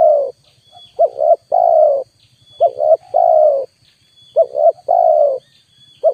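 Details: Repeated cooing of a spotted dove as a lure. Each phrase has two short notes and then a long mellow coo, and faint soft notes fill the gaps. A quiet high whine persists throughout.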